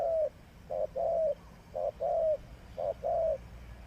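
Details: Spotted dove used as a decoy bird for trapping, giving a low cooing phrase repeated three times: a short note then a longer falling coo, each pair about one second apart, over steady low background hum.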